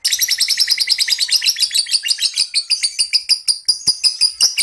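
A lovebird's high, rapid chirping trill, sharp notes tumbling in quick succession.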